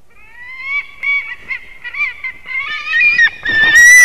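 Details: White-tailed eagle at a nest holding an eaglet, Durbe, Latvia, 13 August, from a live nest camera; a series of thin, high piping whistles with small dips, growing louder and ending in a long drawn-out whistle over rustling.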